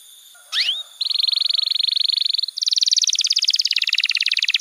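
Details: Canary master song for training young canaries and prompting silent ones to sing: a brief upslurred whistle, then a long, fast, even, high trill that shifts into a higher, buzzier rolling trill.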